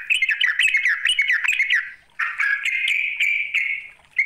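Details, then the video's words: Bulbul of the yellow-vented kind calling to draw a rival: rapid bouncing, gurgling notes, a brief silence, then a steadier buzzy trill with sharp clicks. "Panggilan trucuk memanggil lawan"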